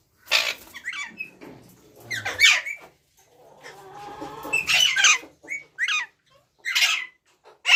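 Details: Ringneck parrot calling indoors: irregular harsh squawks mixed with squeaky, slurred notes and a brief whistled tone, with a murmuring lower-pitched background sound in the middle.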